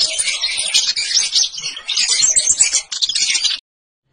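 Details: Sunbirds, a kolibri ninja and a kolibri wulung set against each other, singing very actively: a dense, loud, high-pitched stream of rapid twittering notes, with a brief break before the end.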